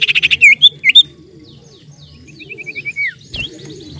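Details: Common Iora (cipoh/sirtu) lure song, lively 'nyiull nyiull' singing: a fast buzzy trill opens, then sharp slurred whistles, a run of six short even notes ending in a long falling whistle, with a steady low hum beneath.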